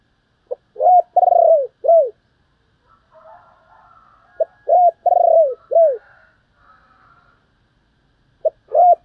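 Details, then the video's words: Decoy spotted dove calling to lure wild doves: deep, hollow cooing phrases of three to four notes, the middle one drawn out, separated by pauses of about three seconds, with faint soft background sounds between phrases. "Chim Cu Mồi Gáy Gọi"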